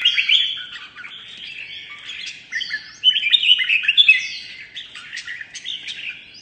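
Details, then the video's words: Competitive song from a mutant red-whiskered bulbul: a dense, chattering stream of quick whistles and rolling warbles, louder strophes breaking in around the middle. "Chào Mào Đột Biến Hót Đấu Cực Hay"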